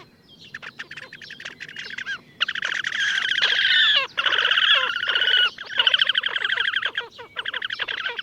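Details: Loud, sustained nasal trills from a wild Slavonian grebe at Gavieze, Latvia, in May 2024, delivered in long rapid bursts separated by short breaks after a quieter opening.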